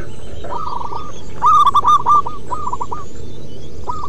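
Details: Zebra doves, local wild birds, give a rapid run of short bent coos, one loud rolling burst in the middle and softer phrases around it, over a dull low hum.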